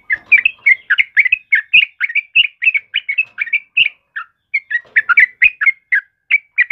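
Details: Yellow-vented bulbul song for luring and training caged birds: a dense stream of bright chirps and short warbled phrases, with one brief lull after the middle.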